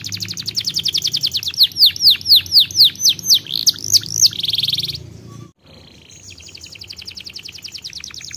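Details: Canary song with a quick rolling trill and a run of loud descending whistles, a harsh buzz, a brief pause near silence, then a soft rapid trill resuming at lower volume.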